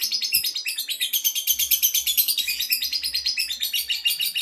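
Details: Male lovebird judged ready for a singing contest delivers a dense, continuous high chattering song, rapid buzzy twitters packed about three per second with no pauses throughout.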